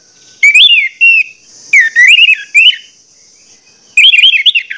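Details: Orange-headed thrush, kept as a lure singer to provoke other males into singing: loud whistled phrases around mid-high pitch, bursts of rising and falling notes with short gaps, a steady high hum behind.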